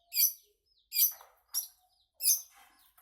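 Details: Long-tailed shrike giving harsh, high scratchy notes, each a short burst, about four in three seconds with silent gaps between, plus faint low chatter.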